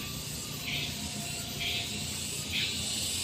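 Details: Hand-fed coucal chick, outdoors, begging: short hissy, raspy bursts repeated roughly once a second, rising above a steady broadband hiss throughout.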